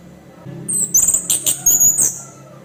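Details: Orange-headed thrush, a caged bird, giving its harsh provoking song: a run of sharp, high, scratchy notes and rasping bursts over about a second and a half, with faint low hum behind.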